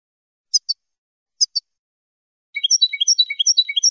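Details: European goldfinch song of the Spanish 'chele' style, used to teach young birds: two short paired chirps, then a quick run of varied high twittering notes at the end.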